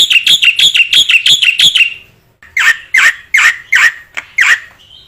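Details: ['Black-winged myna song used as training material to make other mynas sing: a fast series of harsh, ringing chirps about four per second, a short pause, then slower loud rasping notes with downward slurs.']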